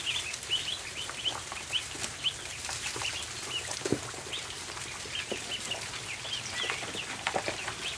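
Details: Many ducklings on a barn floor at feeding time, giving a steady stream of short, high, thin peeps that overlap and repeat rapidly, with sharp clicks and taps from pecking and movement throughout.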